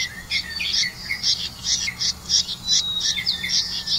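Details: Red-vented bulbul bringing crickets to feed its young: a busy run of sharp, high chirps and squeaky twitters, some rising and falling, following one another in quick uneven bursts over a low background hum.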